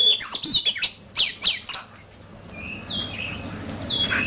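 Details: Competitive song of an oriental magpie-robin: a quick volley of sharp, high, chattering notes, then softer, drawn-out whistles as the bird quiets.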